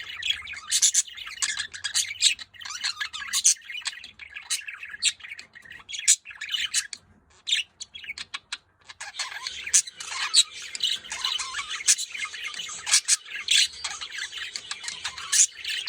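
Budgerigars chatter continuously with bright, scratchy chirps, warbles and sharp squawks.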